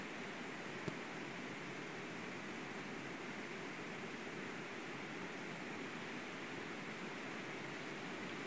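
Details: Steady hiss like rushing wind or distant surf fills a national park livestream in Latvia, with one sharp click early on and no animal calls.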